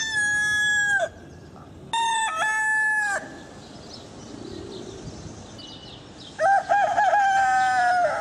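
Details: Roosters crow repeatedly: a call trailing off at the start, a fresh harmonic crow with a dip and rise, then after a quieter stretch with faint chirping, a long steady crow slowly falling in pitch.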